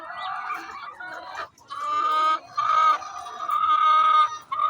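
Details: Hen vocalizing before laying an egg, loud harsh drawn-out squawks repeated in long rising phrases with brief gaps between them.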